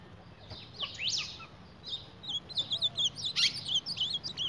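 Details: Ultramarine grosbeak fighting its own reflection in a mirror, giving a run of short, sharp, high chirps and twittering notes, sparse at first and then rapid and uneven toward the end.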